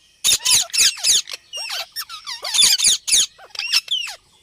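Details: Indian ringneck parrot screeching nearly nonstop: dense, grating shrieks mixed with squeaky, bending chatter notes, repeated several times a second over four seconds, indoors.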